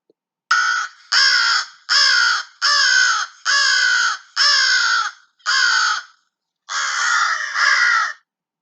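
An American Crow gives about eight harsh, nasal caws, each about half a second long, in a steady series, with the last drawn out. No other sounds are heard.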